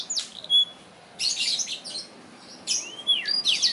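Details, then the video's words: Black-throated canary from South Kalimantan, Indonesia, singing in short bursts: a few thin high whistles, then a scratchy burst, a pause and a rising-falling whistled phrase ending in sharp chirps. "Blacken Gacor"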